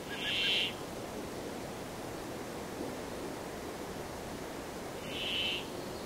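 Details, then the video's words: Brambling song: a buzzy, wheezing note repeated twice, roughly five seconds apart, each drawn out and rasping, with soft steady noise in the background. "The sound of the Brambling"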